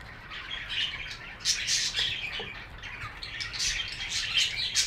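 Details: Budgie chirping: a lively stream of high, buzzy warbles and quick chirps, with several voices overlapping throughout.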